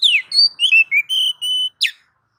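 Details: Kacer (Oriental magpie-robin) training song: a falling slur, then varied whistles and two long level high tones, ending in a sharp downward swoop.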